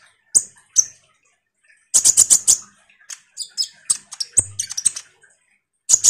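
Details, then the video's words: Common iora chattering in 'ngobra' style, used as a lure for kolibri ninja birds: isolated high chips, a dense rattle of five quick notes, then varied downslurred whistles and ticks in irregular bursts. "Semua burung KOLIBRI NINJA PASTI MERESPON suara PANCINGAN KONIN GACOR NGOBRA ini"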